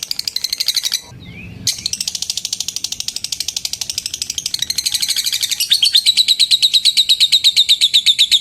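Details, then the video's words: Lovebird calling a rival with a long ngetik trill that sets other lovebirds trilling: fast, buzzy high pulses about three per second, a brief break, then clearer, sharper repeated notes toward the end. "Suara Burung LOVEBIRD Memanggil LAWAN Bikin LB Lain ikut NGETIK SAMBUNG NGEKEK. LABET NGETIK PANJANG"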